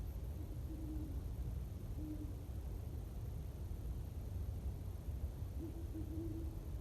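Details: Great horned owl hooting at sunset on a cold winter solstice evening, temperatures in the 20s or lower; low, soft hoots come in three short bursts spread over several seconds above a steady low rumble of wind or distant traffic.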